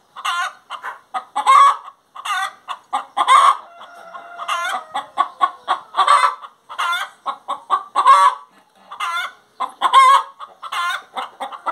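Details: Long bout of hen song: rhythmic chains of clucks broken by loud, grating, drawn-out calls about every two seconds, steady and insistent throughout.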